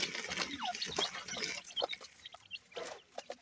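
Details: Grey francolin chicks, feeding: scattered thin high peeps and one falling chirp mixed with soft clucking notes, while sharp clicks and tapping noises continue in the background.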